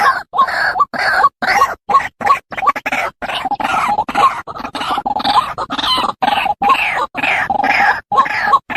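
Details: White-breasted waterhen calling: harsh, nasal croaking notes repeated rapidly, about two per second, in choppy bursts separated by abrupt silent gaps.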